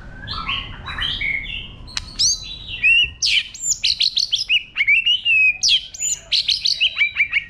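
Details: White-rumped shama singing in a wild-type style, used to stimulate other birds: a varied stream of whistles, slurred notes and quick chattering phrases, growing denser and louder after three seconds, over a low rumbling background.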